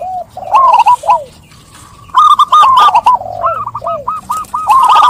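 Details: Zebra dove song: a loud series of bright, clipped coo notes that rise and drop sharply. Quick trills follow a pause, then the notes speed into a rhythmic repeated run near the end.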